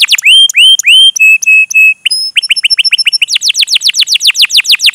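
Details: Lively canary song meant as a lure to prompt other canaries and teach young ones: a few looping chirps, then steady whistled tones held in short repeats, then quickening runs of sharp downswept 'cuit cuit' notes building into a rapid trill.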